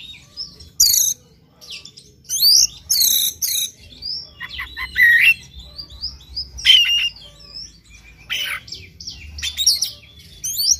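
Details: Oriental magpie-robin singing in the morning, a recording meant to spur another bird to sing; loud varied song of sharp whistled phrases, rising and falling slurs and harsh bursts in spaced bursts, with a faint low hum beneath.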